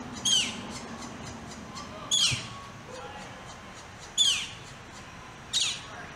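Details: Northern flicker chicks sparring over food, one chick harassing its brother after he received most of the food; four loud, sharp squawks sweep downward, spaced roughly every one and a half to two seconds, over a faint hissing background.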